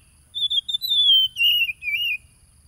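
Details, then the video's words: Oriental magpie-robin song, a wild-caught bird, recorded by phone on 30 July 2022 in Tulus Rejo village, East Lampung, Indonesia; used to provoke caged birds. Clear whistled phrase, slurred and gently falling, with a steady high hum behind. "PANCINGAN SUARA KACER AGAR EMOSI"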